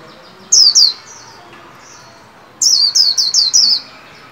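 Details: 'Líu' song from a white-eye kept in a cage for song training around the new year: two sharp downslurred whistles, a pause of almost two seconds, then a fast burst of five more high, falling notes.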